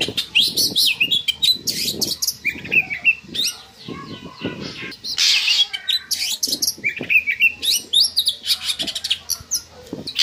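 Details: Oriental magpie-robin singing to raise breeding drive in captive birds: busy mix of sharp whistles, fast chatter and a harsh rasping phrase, over a steady patter of clicks and taps.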